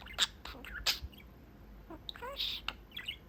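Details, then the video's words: Male budgie kept as a pet, perched through his cage window and chatting with his owners; loud sharp clicks and chirps, then a run of warbled, stepped syllables and a bright squeaky burst toward the end. "Talking Parakeet"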